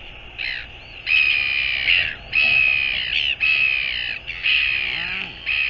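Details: Northern royal albatross recorded on 24 January 2022, giving a series of harsh, drawn-out, nasal calls about a second long, separated by brief pauses, over a steady background hiss.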